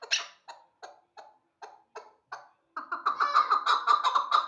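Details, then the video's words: Hybrid chukar partridge bred for hunting; a few short, spaced clucks at first, then from about three seconds a fast, continuous chattering series of throaty chuck notes. "Кабки Гибриди шикори"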